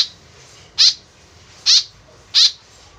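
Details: Three loud, grating calls from a white-breasted woodswallow used as a lure sound, spaced under a second apart, following a faint note at the start, with steady quiet hiss.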